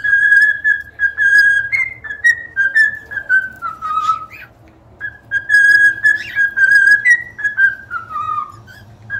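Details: Extended whistled melody from singing cockatiels, sustained pure tones that step up and down in a tune-like sequence, repeated after a short break.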